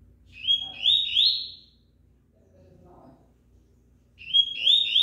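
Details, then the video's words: Rusty-collared seedeater, fast and strong, singing during its moult: phrases of three to four bright, upward-slurred whistles given rapidly, a pause, then the phrase starts again. "COLEIRO KRIPTON, MESMO NA MUDA NAO PARA"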